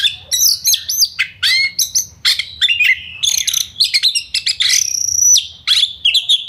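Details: Energetic Oriental magpie-robin lure song meant to make birds agitated and singing, packed with clear whistles, upslurred notes, harsh buzzy bursts and a long steady high whistle near the end, delivered in quick succession.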